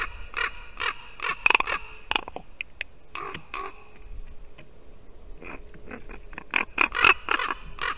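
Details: Ravens visiting a white-tailed eagle nest in Latvia on a December morning, a female eagle sitting in it; a busy run of harsh, knocking and clicking calls, some rasping like a rusty hinge, in bursts with short pauses.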